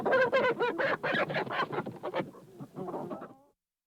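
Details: Hens in a hen house calling together: rapid nasal clucks and cackles, some with wavering tones, fading to a few soft notes and silence.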